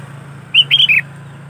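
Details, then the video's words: Short, bright phrase of three warbling whistles from a sooty-headed bulbul in busy 'gacor' singing, recorded to draw in other bulbuls, with a steady low hum beneath. "Suara Burung Kutilang Gacor ASLI Tanpa isian, Ampuh untuk Pikat Kutilang bikin kutilang Ribut gacor"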